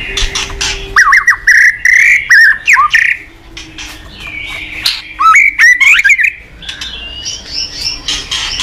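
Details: White-rumped shama singing in the morning, used as a lure to set other birds singing: loud, varied whistled phrases with sharp upslurs and trills in quick bursts, short pauses between them, and a faint steady hum beneath.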